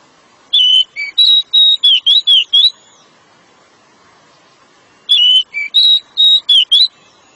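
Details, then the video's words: Pied bushchat song in the dense rapid-firing style called nembak rapat, used as therapy for slow or silent birds: two bursts of about eight short, clear, high whistled notes, each lasting two seconds, separated by a three-second pause; faint steady hum behind. "Decu nembak rapat"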